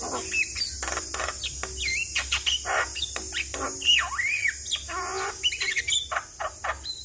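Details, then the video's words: Vocal Javan myna used routinely as a trigger for a stressed bird, giving rasping bursts interspersed with curving whistles and chirps, against a steady high hiss. "Suara Jalak Kebo Gacor"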